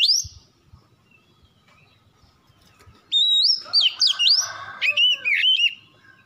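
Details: Lure song of a white-rumped shama: after a near-silent start, a burst of loud clear whistles, rising slides and quick looping notes, with a faint steady hum underneath.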